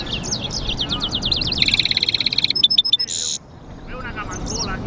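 A goldfinch-canary mule sings a fast, bright song of rising chirps, buzzy trills and sharp repeated notes, ending in a brief harsh burst.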